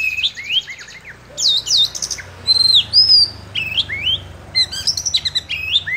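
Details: Chattering song from an Oriental magpie-robin fanning its tail: varied loud whistles, sharp upslurs and downslurs, and short buzzy rattles, delivered in quick bursts separated by brief pauses.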